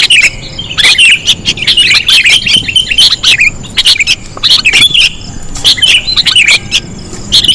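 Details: Sooty-headed bulbul lure calls: clusters of bubbly, warbling chirps separated by short pauses, each burst lasting about a second.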